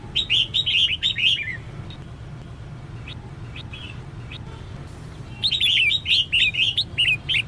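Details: A female red-whiskered bulbul calls to push males into song during training. Fast chattering bursts of clear, jumpy notes open and close the clip. A few isolated chirps fall in the quieter middle, over a low hum.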